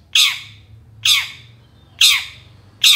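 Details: Harsh, grating squawks from a long-tailed shrike, used to provoke other shrikes into singing. Four loud, rough notes come roughly a second apart over a faint low hum.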